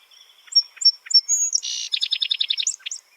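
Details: A Song Sparrow sings a typical cheery song: three clear introductory whistles, a brief buzzy burst, then a quick run of about nine rapid repeated notes ending in a couple of chips.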